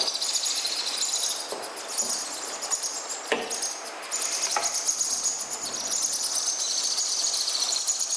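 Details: Baby sun conure chicks being hand-fed give a steady, high, raspy buzz of rapid pulsed begging notes, broken by a few sharp knocks and clicks.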